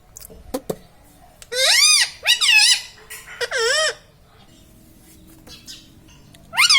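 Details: Pet talking Indian ringneck parakeet laughing in a series of four loud squeaky arched notes, then a pause with faint room sounds and one more squeak at the end.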